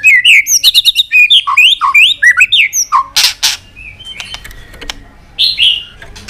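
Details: White-rumped shama singing excitedly in varied voices: rapid whistled and slurred notes in quick succession, then a few sharp clicks and a softer closing whistle.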